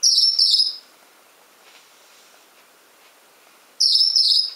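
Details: Male pet Gouldian finch making his very high-pitched sound, a behaviour he sometimes keeps up for over an hour: thin, piercing buzzy notes in two short bursts separated by about three seconds of near silence.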